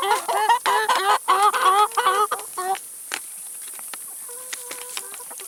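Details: Chickens eating salad and vegetables give a quick run of harmonic clucks and short wavering calls for about two and a half seconds, then trail off into scattered pecking clicks and a few thin, level tones.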